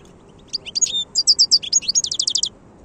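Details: A wild European goldfinch delivers a quick, bright twittering phrase of high liquid notes and chirps that runs into a rapid, evenly repeated trill, over quiet low background noise.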